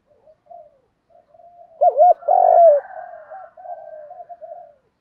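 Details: Spotted dove coo to rouse birds in training: one loud double hoot and rolling coo in the middle, surrounded by quieter, overlapping coos from other doves.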